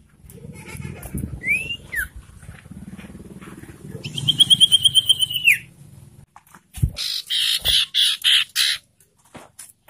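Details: Ashy tailorbird lure call meant to rouse and stimulate breeding birds: a couple of rising whistles, then a rapid, evenly repeated whistled series, followed by harsh, buzzy bursts over a low rumbling background.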